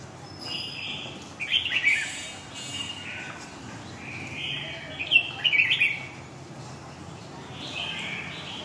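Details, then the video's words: Red-whiskered bulbul in Huế giọng dài long-voice style, singing two main bursts of sweet, warbled chirps about three seconds apart, then a softer closing phrase, with a low background hiss. "huế giọng dài 2"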